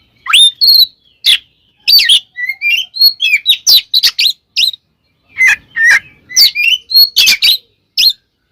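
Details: Oriental magpie-robin fight song meant to provoke rival magpie-robins; dense run of varied whistled phrases, rising slurs and crisp clicking notes, nearly continuous with a short gap midway.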